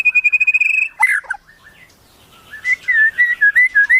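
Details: White-rumped shama master-tutor song with wild-bird imitations: a fast string of even whistled pulses, a downslurred flourish, then a run of rising and falling whistled notes.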